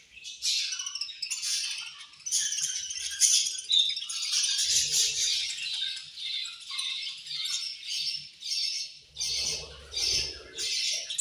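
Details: Caged budgerigars eating and chirping, long stretch of dense, scratchy high chatter, later breaking into regular pulses about two per second, with a brief low rustle near the end.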